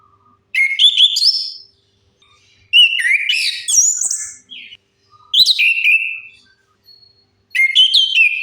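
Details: Orange-headed thrush song used as a lure to make silent birds sing: varied whistled phrases with sharp slurred notes and trills, delivered in bursts about every two to three seconds.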